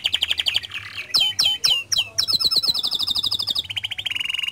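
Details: Canary in vigorous song to coax other canaries into singing: quick trills, loud swooping whistles, a long rapid rattle of notes, then a lower even buzzing roll.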